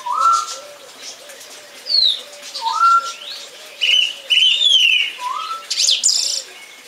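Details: Song thrush song of varied, sharp whistled phrases, some sliding up, others falling, plus a brief metallic flourish near the end, while a low, soft cooing repeats steadily underneath.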